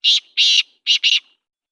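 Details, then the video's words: Black francolin (kala teetar) calling at night in Sindh: four loud, harsh, grating notes in quick succession, the first two longer and separated by a short pause, the last two clipped close together, with no other sounds. "سندھ میں کالا تیتر کی رات کی بولیاری"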